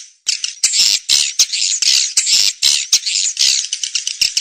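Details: Lure sound meant to call edible-nest swiftlets: loud, harsh, buzzy chirrups run together into long high chattering bursts about half a second each, with sharp clicks between them.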